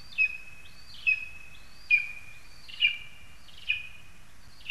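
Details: .Lesser spotted eagle in a spruce in Zemgale, Latvia, recorded 22 August 2021. High yelping calls repeat roughly once a second, each dropping sharply, then trailing into a thin, steady, drawn-out whistle. Faint low background rumble.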